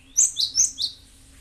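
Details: Cinereous tit, played as a lure to make other birds answer: four sharp, high chirps in quick succession, each sweeping downward, lasting under a second, with a faint steady low hum behind.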